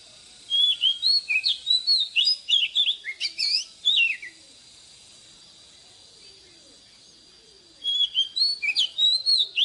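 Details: An old wild oriental magpie-robin sings in the morning, a recording meant for training caged birds. Two phrases of fast, varied whistles and slurred chirps are split by a quiet gap, with faint insects in the background.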